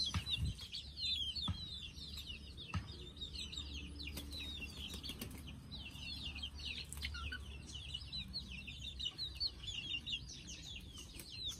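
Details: A flock of chicks readying for sleep makes a steady chorus of high, short peeps, with some fluttering and thuds early on and a low hum throughout.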